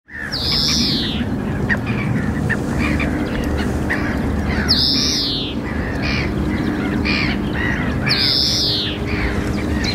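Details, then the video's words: European greenfinch (Chloris chloris) calling at Wagbachniederung, Oberhausen-Rheinhausen, Germany, 9 April 2023 at 13:05: high, down-slurred notes about every three and a half seconds, softer chirps between, over a steady low rumble. "Greenfinch Call"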